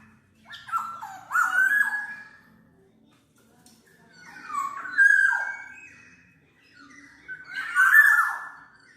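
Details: A Black-naped oriole song for luring or training birds, three spaced phrases of liquid, downward-sliding whistles with harsh, raspy overtones, each about two seconds apart.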